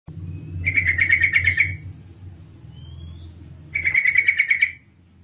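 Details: Female sooty-headed bulbul call used as a lure to provoke males, including reluctant ones, into singing: two rapid chattering trills about a second long, each of roughly ten sharp notes, separated by a pause, over a low steady hum.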